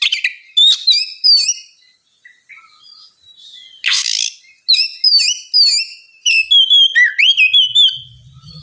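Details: Lure song of an Oriental magpie-robin in relaxed ngeplong style, for coaxing a lazy bird to reply: varied chirps and twisting whistles, a loud rushing burst midway, then a lively series of bright slurred notes.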